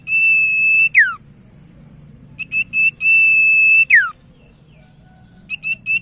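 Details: Common iora song used as a lure to get other ioras singing: long steady pure whistles held near one pitch, each ending in a sharp downward sweep, then bursts of short clipped whistled notes, very clean and tonal.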